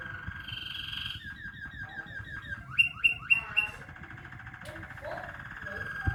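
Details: Caged Waterslager canary singing: a fast run of repeated liquid notes, rapid trills and bubbling rolls, with a few bright chiming peaks midway, over low background hum.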